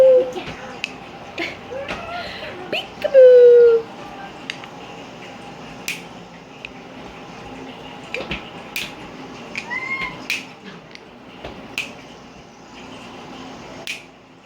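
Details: Monk parakeet (Myiopsitta monachus), a 5-month-old Quaker parrot, chatters in a thin, nasal voice with sliding whistled tones, mimicking speech: calling for the household dog, swearing, and saying "no bite", "peekaboo" and "good boy".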